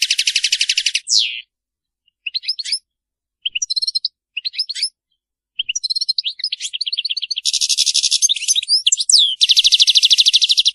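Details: European goldfinch performing a faultless Maliki-style song. It opens with a sustained buzzy rattle, breaks into scattered short chirps separated by brief silences, then builds into long, dense, buzzing trills mixed with sharp twitters. Background clean.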